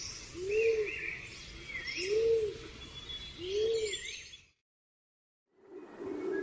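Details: Three evenly spaced, rounded low coos from a pigeon over faint bird chatter, then a second of silence before a muffled coo resumes.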